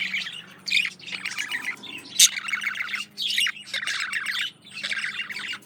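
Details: Budgerigar male singing to a female during courtship indoors: continuous rapid chatter of grating and squeaky notes in clustered bursts, with one sharp high click near the middle and short gaps between phrases.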